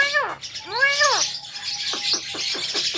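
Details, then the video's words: Javan myna uttering two drawn-out arched harmonic calls, then a thin steady tone and a few short downslurred chips against a faint hiss. "JALAK KEBO VIRAL BURUNG BEO SAJA KALAH DENGAN SUARANYA"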